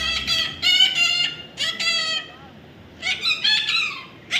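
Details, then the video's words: Harsh, nasal squawking from a baby parrot, repeated in clustered pairs and triplets with short gaps, loud and grating throughout. "natural funny parrot sound"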